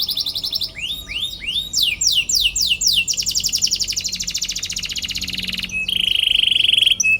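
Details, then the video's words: Canary song for provoking rival birds: swooping chirps leading into a long rapid buzzy trill, then a flat whistled tone and a closing fast rattle. "KENARI GACOR PANJANG CUIT CUIT PANCING EMOSI LAWAN BIKIN NYAUT DAN GACOR |° CANARY SINGING"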